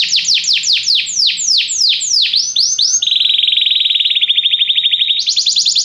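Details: Canary song used as training to prompt a canary to sing at once: a run of rapid, loud downward-sweeping notes, then a long steady buzzy roll, stepping to a higher trill at the end.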